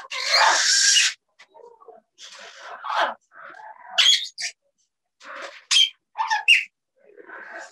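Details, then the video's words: Two parrots talking to one another, possibly in English words. One long loud harsh screech opens, followed by softer irregular chattering notes and sharp short squeaks. "Talk to the Parrots"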